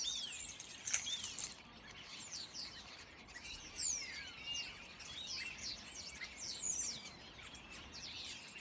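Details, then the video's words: A noisy flock of starlings in a fir tree chatters continuously, a dense overlapping mix of high whistles, clicks and sliding squeaks with no steady rhythm. "Starlings Making a Noise"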